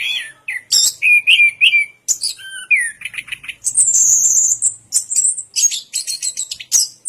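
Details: Orange-headed thrush song opening with mid-pitched whistled trills, then moving into long, shrill, squeaky high phrases and rapid chattering notes.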